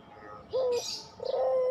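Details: Barbary dove of the pelung type giving a short low coo, then a longer level coo, with a burst of high bird chirping between them.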